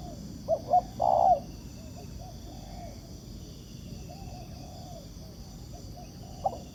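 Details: Wild spotted dove cooing toward a ground decoy: two short notes and a loud sustained coo early on, then mostly quiet hiss with a faint note near the end.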